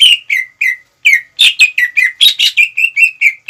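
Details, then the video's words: Greater green leafbird song used as a lure to quickly rouse the anger of rival leafbirds, both adult and young birds: a rapid series of loud, slurred whistled notes, about a dozen phrases in three and a half seconds, with no other sounds. "PANCINGAN CUCAK IJO GACOR CEPAT MEMANCING EMOSI LAWAN"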